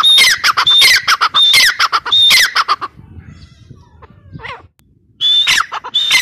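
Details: Loud, repeated calls of a grey francolin, or teetar: a ringing rising whistle with rough, broadband notes in quick bursts. There is a brief pause with a faint chirp, then the calling resumes.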